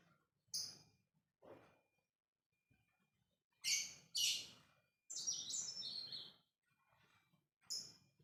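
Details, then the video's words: Lovebird ngekek chatter used as a lure to set off another lovebird: separate high, shrill bursts, then a longer stretch of quick descending chirps, with quiet pauses between. "pancingan love bird biar ngekek"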